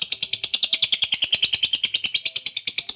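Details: A lovebird in long ngekek song, used to provoke other lovebirds: very fast, buzzy chatter of high shrill notes pouring out without a pause, about seven notes per second.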